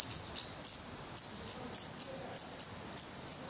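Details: Feathered Black redstart nestlings, hungry and growing fast, give thin, very high hissing begging calls in quick irregular bursts about every third of a second at the nest; Portugal, 17 May 2020; Black redstart.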